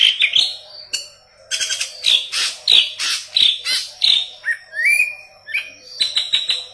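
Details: A yellow-headed leafbird in full, intense song, used for training Cucak Ijo: dense strings of harsh chirps and bright whistles, a smooth upward-sliding note near the end, low background hum.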